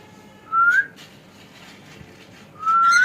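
A cockatiel gives two clear, rising whistles about two seconds apart, each sliding upward and ending sharply, over a quiet background.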